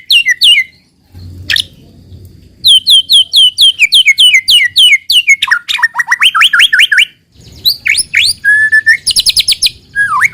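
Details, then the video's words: White-rumped shama song serving as a lure to make other shamas sing: rapid runs of downslurred whistles, then a fast series of rising hooked notes and high rattling trills, with short silent breaks. "pancingan muraibatu yang efektif untuk murai bahan cepat bunyi | shama bird"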